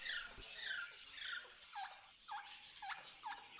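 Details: Hungry wild macaws in the Amazon rainforest: harsh, hoarse squawks with a rasping upper edge, repeated about twice a second, over a soft background hiss and fainter overlapping calls.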